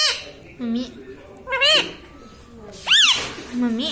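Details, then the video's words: Caged pet parrot talking indoors, repeating "mami" (mummy) in four bright, bending, harmonic syllables that swoop up and down, with short silent gaps and a faint room hum. "mummy bolta mithu ||papa bolne vala parrot || parrot talking"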